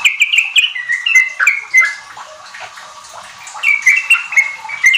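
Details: Sooty-headed bulbul in lively song, a lure for young kept birds: quick whistled notes stepping down in pitch, a two-second lull, then another burst of short clear whistles with sharp high ticks.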